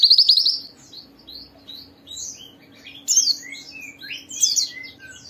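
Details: White-eye song to encourage other white-eyes to sing: an opening burst of rapid chirps, then scattered high, slurred notes and louder clusters. A faint hum lies underneath.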